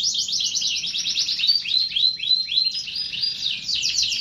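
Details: Canary delivering a continuous high trilled song: dense rapid notes, a few arching slurs in the middle, then more fast rolling trills.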